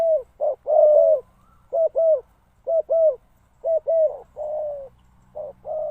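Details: A decoy spotted dove used to call in wild doves gives low, hollow coos in short phrases of two or three notes, with brief pauses between; faint background hum.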